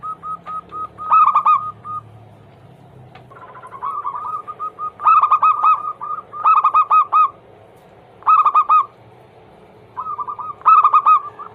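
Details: Zebra dove used as a lure to get other doves singing. Loud rolling coos with a bright, ringing tone come in bursts every one to two seconds. Softer, evenly spaced coo notes run between the bursts.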